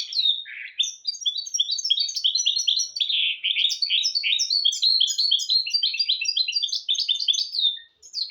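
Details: Tutor song of a goldfinch × canary mule for goldfinches and canaries: continuous quick, high twittering with buzzy and liquid notes, rolling phrases, and a short gap near the end.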